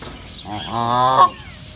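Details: Duck calling in a nature reserve: a single nasal, harmonic honk that swells for about half a second and then cuts off abruptly, with quiet background.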